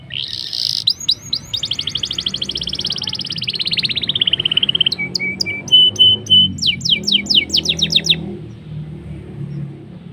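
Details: Lure song of a black-throated canary meant to set canaries singing fast: opening rising whistles, a long fast rattling trill falling gradually in pitch, steady level notes, then a run of sharp upward strokes.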